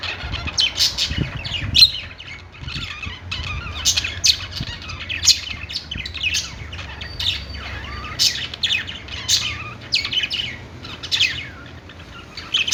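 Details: A flock of budgies sings on a perch inside a pet store: a long run of rapid chirps, clicks and squawky warbles from many birds, with brief thumps and a low background hum.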